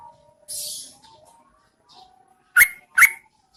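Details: A female Yellow-vented Bulbul lures males to respond during the rainy season. A brief hiss and faint thin whistled tones come first, then two strong, harsh, bubbly notes about half a second apart.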